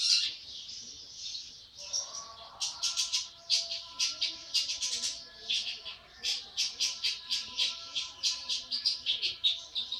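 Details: An 80-day-old long-tailed shrike in full voice, giving a rasping, chattering series of harsh notes that settles into a fast rhythm of about two bursts a second, over a low steady background hum.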